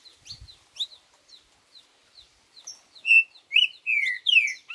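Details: Green-winged saltator giving a four-note 'boi' song: thin, high chirps lead into strong, descending slurred whistles in a rapid burst near the end, over an otherwise quiet background.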